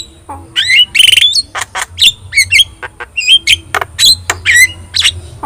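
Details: Javan myna, yellow-eyed and very vocal, giving a tutor song for other birds: a jumble of harsh squawks, clicks and wavering whistled slurs, delivered in quick, uneven succession.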